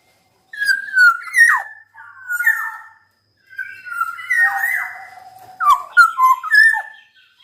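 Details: Black-naped oriole singing energetically, with mellow whistled, slurred phrases that swoop downward. A harsher, rasping stretch sits mid-sequence before the clear fluty notes return.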